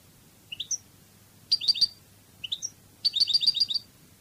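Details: Goldfinch singing Cadiz-style phrases: paired rising chirps alternate with quick bursts of three to six tinkling notes, spaced by short silences.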